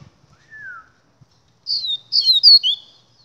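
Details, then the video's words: Double-collared seedeater (papa-capim) song: a soft falling whistle, a pause, then a burst of high, quick, slurred notes and twittering trills, clear and without other sounds. "Papa Capim Gladiador"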